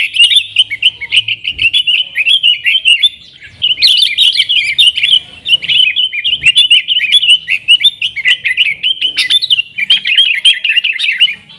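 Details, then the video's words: Vigorous 'nggaruda' singing from a trucukan, or yellow-vented bulbul, meant as a call-in lure for wild sooty-headed bulbuls; dense liquid chattering phrases pour out continuously, broken by brief pauses around 3 and 8 seconds. "TRUCUKAN GACOR Nggaruda Super Ampuh Untuk Suara Panggilan Burung Kutilang Liar"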